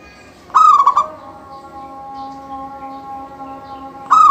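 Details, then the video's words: Zebra dove of a local line singing with gusto to set other doves off singing. Two ringing phrases about three and a half seconds apart, each a bright note dropping into rapid, bubbly coos, with a steady low hum behind. "Suara kutut lokal gacor full manggung"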